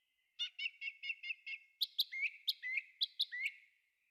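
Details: Thrush song in a forest, a rapid series of about six identical clear notes, then louder whistled notes that swoop and dip, delivered at an even, insistent pace.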